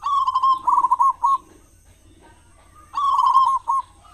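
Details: Zebra dove, a local perkutut, used as a lure to set other doves singing in morning and evening; loud, rolling cooing phrases near one kilohertz, two bursts about three seconds apart, each ending in short separate notes.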